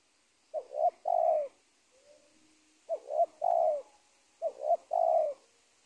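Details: Spotted dove from the edge of a teak plantation, the caught master of a former cornfield. It utters three evenly spaced coo phrases. Each is a stuttering double note then a long low coo, with a faint thin whistle between the first two.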